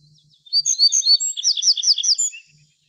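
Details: Little bunting (Emberiza pusilla) sings a loud, clear phrase of about ten quick, evenly paced high notes, the later ones sharply down-slurred and ringing, ending in a short thin note.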